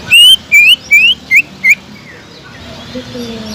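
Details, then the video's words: Greater green leafbird singing to draw in other leafbirds, five loud, slurred rising whistles spaced about a third of a second apart, followed by quiet background. "TEMBAKAN PEDAS CUCAK IJO GACOR BUAT MANCING CUCAK IJO LAIN AGAR JAMTROK"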